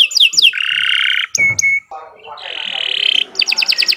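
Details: Canary in long song for tutoring other birds: falling whistles, a sustained buzzy tone, two short clear notes over a soft noise, then a rising buzz and quick chirps.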